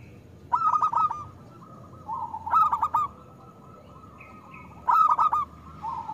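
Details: Local zebra dove in loud song used as a lure for doves slow to call: three strong trilled coo bursts about two seconds apart, each followed by softer drawn-out cooing.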